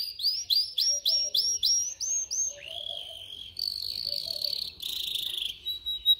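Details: Canary singing, played for training young canaries to sing: a run of identical sharp rising notes repeated about three per second, then a sliding downward whistle and two buzzy, rattling rolls.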